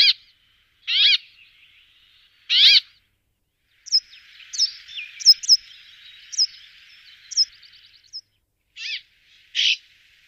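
A brambling gives harsh, nasal, buzzy calls a second or so apart, with a run of short, sharp chirps in the middle.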